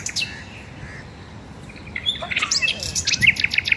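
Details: Garden birds in the morning: quiet at first, then a burst of mixed high chirps and sharp tweets in the second half.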